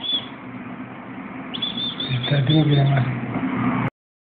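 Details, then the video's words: A goldfinch-to-canary hybrid (jilguero × palillo) sings a high, thin note, then a quick, liquid twittering phrase, over low voices and background traffic. "Mixto de Jilguero a Palillo"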